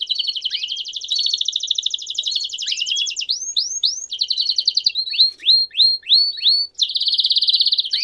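A Belgian canary sings a fast, continuous high trill, breaking into a run of quick down-slurred notes and ending in a bright buzzy roll.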